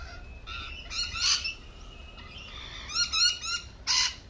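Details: Lorikeets at a cafe give short, shrill, buzzy screeches in uneven bursts, some in quick stuttering runs of three or four, with brief pauses between them.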